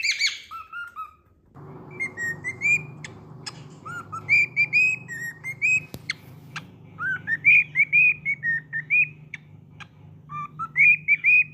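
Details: Two cockatiels at play, one giving scattered short whistled notes and upslurs, some in quick pairs, over a steady low hum and occasional clicks.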